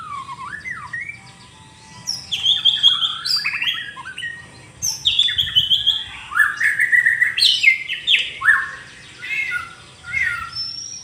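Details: Morning song of a white-rumped shama (murai batu), a rich series of varied whistled phrases rising and falling, delivered in bursts with short pauses, over a low background hum.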